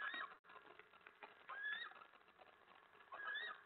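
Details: Male eastern screech owl chittering at night at 10:47 PM on 25 February 2017 in a hideout, after being scolded by its mate: rough, wavering mid-pitched trills with a few rising whinny-like notes, separated by brief scratchy pauses.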